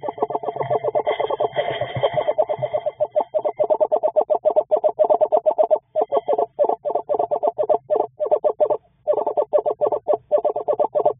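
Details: Eastern screech owl pair conversing in the evening amid nesting behaviour; dense rapid chattering bursts of clipped notes, trilled pulses repeated continuously with brief pauses, fairly loud and close.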